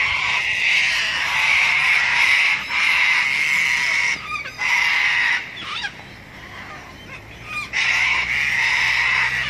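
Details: At Robertson Park, St Lucia, sulphur-crested cockatoos screech raucously in long rasping bursts, a quieter stretch with softer chirps in the middle, then loud screeching resumes.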